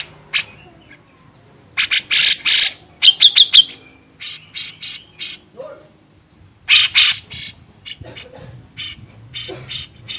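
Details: Grey-cheeked bulbul, recorded as a master for training songbirds, gives rapid rasping bursts in clusters, interspersed with thinner chipping notes and brief pauses, in a lively, irregular chatter.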